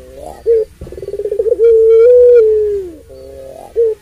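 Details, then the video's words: Barbary dove of the puter pelung type delivering one full long call meant to provoke others: clipped introductory note, quick bubbling roll, then a smooth held coo falling away, another phrase starting. "Puter Pelung Suara Panjang Ini"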